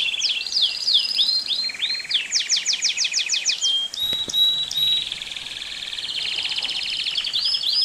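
A Belgian canary sings a fast, bright song of trills and rolls, with quick rising sweeps and buzzy rattles.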